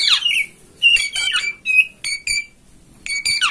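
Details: Oriental magpie-robin, master song to prompt a kacer to fan its tail and sing; short harsh notes and buzzy, ringing chirps delivered in separate bursts with brief silences between them.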